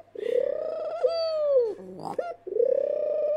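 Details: A pet ringneck dove bow-cooing very close: a throaty purring start, a long rising-then-falling coo, a brief break, then another purring roll.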